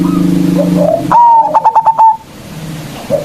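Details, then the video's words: Big-voiced local zebra dove song used to call and provoke rivals. A single loud phrase opens with a sharp upward coo and breaks into four or five quick stuttering notes. Softer cooing comes before and after. "Perkutut Lokal GACOR suara Besar Ampuh memanggil Lawan"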